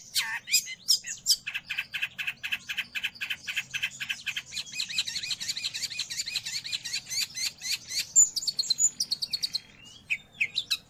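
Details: Long-tailed shrike singing, a recording meant for training pet birds or luring wild birds: a fast, dense run of harsh high chattering notes over several seconds, ending in scattered squeaky whistles.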